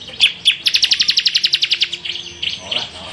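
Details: Bar-winged prinia song: a couple of sharp high chips, then a fast run of about fifteen bright repeated notes that fades into softer chatter, with faint background hum.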